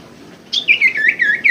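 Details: Common Iora song used to stir a caged bird into singing: a rapid run of connected whistles wavering and dipping, bright and continuous for about a second after a brief silence.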